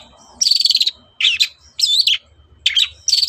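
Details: Provocative morning song of the long-tailed shrike: four harsh, buzzy high bursts, each about half a second long, separated by short gaps, over a faint low hum.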